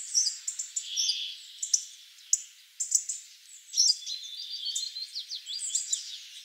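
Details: Hawfinches in Ivanovo, Russia: sharp, high ticking calls and short chirps repeat irregularly, with thin bursts of buzzy twittering near the end.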